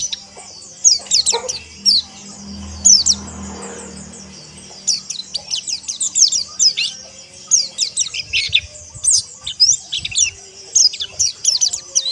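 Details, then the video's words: Chorus of white-eyes (pleci) used to train birds toward coarse ngeriwik twittering and ngalas: bright high chirps, a lull with a low hum, then dense rapid descending twitters repeated through the end. "Terapi Pleci Ombyokan Agar Ngeriwik Kasar Dan Ngalas"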